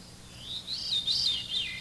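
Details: Veery's haunting song of downward spiraling flute-like notes, here a short stretch of wavering, fluty whistled tones gliding up and down and ending lower, over faint hum.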